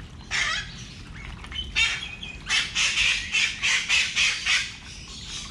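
A New Zealand shoveler gives a few scattered raspy notes, then a quick run of about eight harsh, nasal calls, roughly three per second, over a low background hum.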